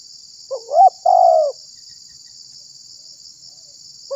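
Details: Single spotted dove phrase used to lure and provoke other doves: a short swooping note followed by a sustained mellow coo, then quiet with a steady high hiss and the start of another note.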